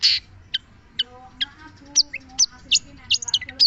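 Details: Long-tailed shrike giving spaced high notes: a harsh opening burst, then sharp single chips about every half second, ending in quicker chirps, with faint low steady tones behind.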